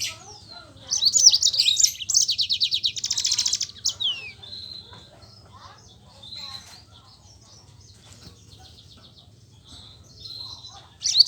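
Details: Yellow-fronted canary in lively rolling song, meant to coax quiet canaries into singing: a loud three-second burst of fast high trills, then softer scattered whistles and chips, with a sharp note at the close.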